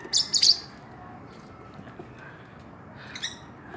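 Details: Caged pair of Philippine hanging parrots, bought in Quiapo, Manila, giving a few brief, very high, thin squeaky chirps near the start and one more near the end, with quiet background in between.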